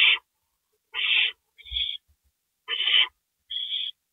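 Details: Owls on April 27, 2012 at 2:05 AM, with a gopher delivered. Rough, loud screeches alternate with thinner, higher hisses at irregular intervals of roughly a second. A brief thump is heard near the middle.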